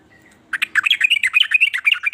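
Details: Sooty-headed bulbul, locally trucukan, delivering a lively song said to draw other bulbuls into singing; after a faint note, a dense run of bright, chattering warbled chirps.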